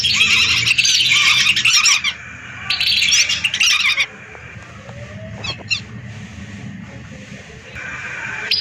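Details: Lesser whistling ducks in a large flock, hundreds of birds, used as a lure: bursts of massed shrill whistling for two seconds and again briefly, then a quieter stretch with scattered whistles before the chorus returns.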